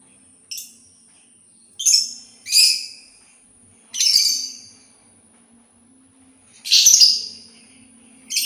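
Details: Sultan tit giving a series of separate harsh, hissy bursts at irregular gaps of one to two seconds, some short and some longer, over a faint steady high whine.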